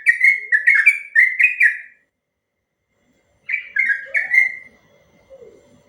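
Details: Sooty-headed bulbul (trucuk) giving ropel-style song for training other birds: a short burst of rich whistled notes, a pause of about a second and a half, then three more slurred whistles and faint low chatter.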